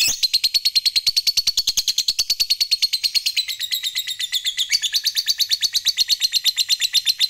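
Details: Fighter lovebird in unbroken ngekek chatter that provokes rivals, a steady machine-gun stream of high, shrill pulses holding nearly level pitch, dipping slightly midway before recovering.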